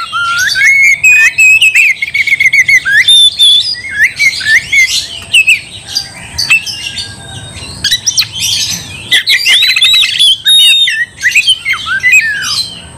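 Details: Oriental magpie-robin (kacer) singing to goad another into fighting: dense, harsh squawky bursts mixed with whistled slurs and rapid chirps, sustained over many seconds with short breaks, a faint hum underneath.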